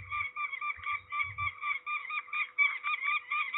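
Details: Peregrine falcon calling during ringing at Trzebież, Poland, on 13 May 2019: harsh, nasal notes repeated about four times per second, with brief low thumps near the start.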